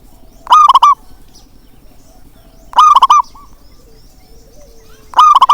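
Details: Local zebra dove, described as having a big voice, used as a call to stir doves reluctant to sing: loud bubbling coos of three or four rolled notes, repeated about every two and a half seconds, with a fainter coo between them.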